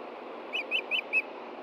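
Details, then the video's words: Osprey alarm from an adult of a nesting pair looking down at a threat below, Hellgate Osprey Project, Montana, June 2013, 11:30 AM; four clipped, whistled chirps in under a second over a background hiss. "THREAT FROM BELOW! IRIS AND STAN RESPOND!"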